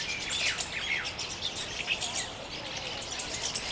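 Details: Small flock of Jungle babblers in open forest, neighbouring kin mock fighting amid constant chatter; dense overlapping harsh, scratchy notes and short squeaky chirps crowd together without pause, high-pitched and busy throughout.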